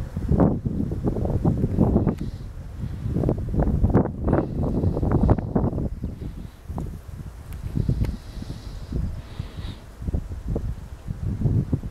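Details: Gusty wind buffets the microphone with low rumbling and rustling throughout, and no clear animal call stands out.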